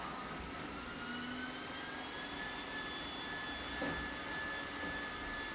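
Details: A steady mechanical roar with faint whining tones, like a jet or engine running, and no animal voice. A brief louder bump comes near the end, but no calls stand out.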